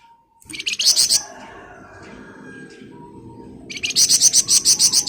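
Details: Flamboyan bird singing in a rapid, busy style: bursts of very high, fast-repeated chirping notes at the start and again near the end, separated by quieter twittering and soft low background noise.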